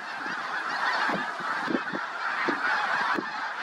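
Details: A flock of snow geese on a field near Seneca Falls, giving dense, overlapping honks and yelping calls that blend into a continuous clamour, with a few louder honks standing out every second or so.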